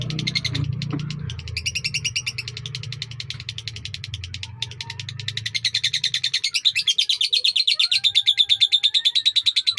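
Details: Indonesian lovebird in a long sakera song, starting with softer rapid ticking over low rumbling noise, then rising into loud, fast, buzzy trilled chatter with a few thin whistles.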